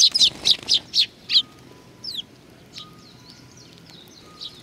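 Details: Sparrows gathering to be fed at Tenmangu shrine, Nakanoshima, Japan, 21 June 2020; a quick burst of six loud chirps, then a few fainter, thinner notes and soft twitters trailing off.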